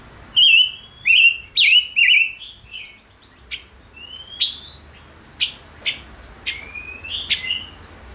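A Gouldian finch sings loud, clear whistled phrases: wavering notes, then sharp rising sweeps, about two a second. Faint background hiss.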